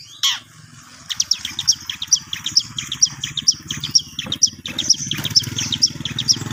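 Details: Long-tailed shrike, locally called cendet, a young bird practising its song: sharp high chirps and descending whistled notes repeated about twice a second, with a steady low hum underneath.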